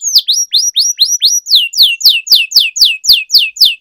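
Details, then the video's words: Canary song from a tutor recording for training young canaries, with long rolling phrases: clear descending and rising whistled slurs repeated about four per second in a steady series, some syllables changing shape midway. "Canary Singing Training, Kenari Gacor Ngerol Panjang,Pancingan Kenari Macet, Masteran Kenari Paud"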